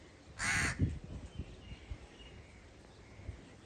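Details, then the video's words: A single loud, hoarse caw from a crow, followed by a few soft low thumps and quiet background noise. "The sound of a crow"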